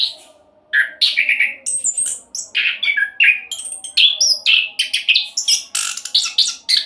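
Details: Orange-headed thrush singing a speedy 'roll' song meant as a lure for other songbirds. A short quiet start, then a dense run of varied chirps, slurred notes and thin high whistles, barely pausing.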